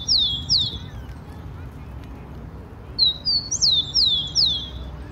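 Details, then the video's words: Song of a wild rufous-collared sparrow in Brazil: a pair of high descending whistles, a quiet pause of two seconds, then a longer run of five clear slurred notes, first rising, then falling. "O CANTO DO TICO-TICO SEUVAJE"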